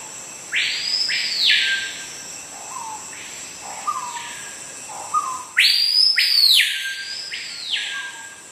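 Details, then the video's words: A Screaming Piha in the Amazon rainforest gives piercing, ringing whistles, sharp upswept notes sliding down in repeated bursts, calls reaching up to 116 decibels, over a steady high insect drone and softer bird notes. "That bird is a Screaming Piha, which makes calls at up to 116 decibels, which is loud enough to damage our ears."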